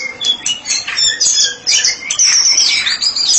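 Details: White-rumped shama, a therapy-specialist bird, singing in ngeplong style: dense overlapping high whistles and chattering notes with sharp rising and falling sweeps, almost continuous with brief dips.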